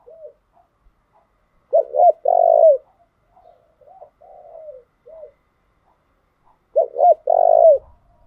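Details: Spotted dove decoy song for stimulating newly caught birds: loud phrases of two hooked coos plus a long buzzy coo, repeated about five seconds apart, with soft coos in between.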